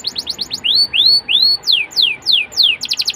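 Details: Canary song for coaxing young birds: quick chips, three rising whistled slurs, then four falling swept notes and a short rapid trill.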